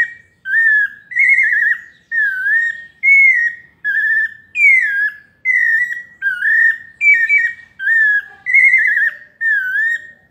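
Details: Sabiá parda, the pale-breasted thrush, delivering its paulista melodious song: steady repeated whistled phrases, each a rounded or slightly trilled note about half a second long, spaced by brief pauses.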